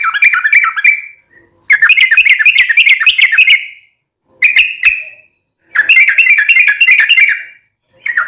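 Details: Long rapid-style Yellow-vented bulbul song used to make caged birds sing back: four bursts of busy, bubbling, chattering notes, each lasting one to two seconds, separated by short silences.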